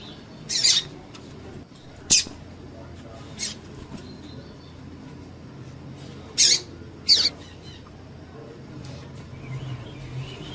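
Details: Female double-collared seedeater piping to make a male sing more: five thin, very high chirps at irregular gaps of one to three seconds, two of them close together, over a quiet low hum.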